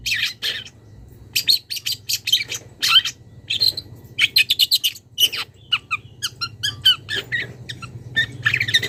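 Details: Wild young long-tailed shrike challenging a rival, starting its mimicry: fast, busy series of thin chirps, scratchy notes and short whistles, growing denser over time, above a steady low hum.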